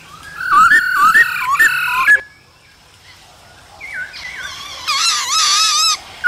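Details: Male laughingthrush song in cold weather with female calls used to stir up wild-caught birds: dense layered whistles and chatter, a quiet gap, then rising whistles into a rich wavering warble.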